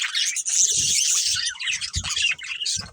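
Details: Budgerigars, a breeding pair, give a steady flow of high chattering chirps and rapid warbles, bright and scratchy, with a few soft low thumps underneath.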